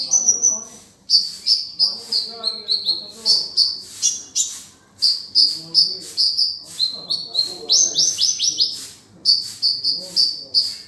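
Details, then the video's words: Sunbird song for tutoring kept birds, konin dacok style with rich filler: long runs of high piercing chirps in quick succession, including a rapid stuttered sequence midway, with short pauses between phrases. "Pancingan/masteran burung Kolibri || konin dacok isian mewah"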